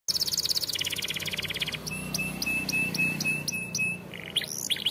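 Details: Canary song used for training young canaries: a rapid trill of high notes, then a lower fast trill, then clipped high whistles over a steady tone, ending in quick varied chirps.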